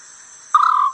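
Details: African scops owl recording played back during a sunrise safari drive from Djuma Game Reserve, Sabi Sand, South Africa, in July: one short, purring, slightly trilled mid-pitched note under half a second, over a steady high insect-like hiss.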